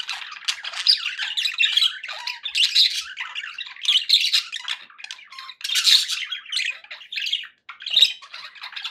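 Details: Pet budgies sounding happy: continuous raspy warbling and squeaky chirps in quick uneven bursts, high-pitched and chattering throughout, recorded in a quiet indoor room.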